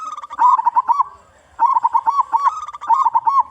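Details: Local zebra dove, a loud-voiced, actively singing bird used as a lure for other zebra doves, giving rolling cooing phrases of quick, arching notes. Two phrases are separated by about a second of quiet, and a faint higher tonal series sounds alongside.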